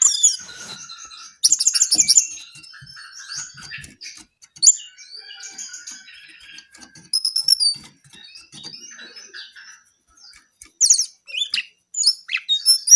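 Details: Brown-eared bulbul in song, delivering scattered bursts of high, thin whistles and buzzy chattered phrases separated by quieter gaps, the loudest outbursts coming near the start and toward the end.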